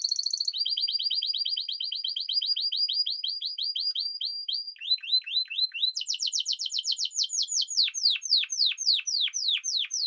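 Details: Spanish timbrado canary singing a long run of rapid repeated trills, shifting between tours of high metallic notes and descending sweeps, each tour several seconds long.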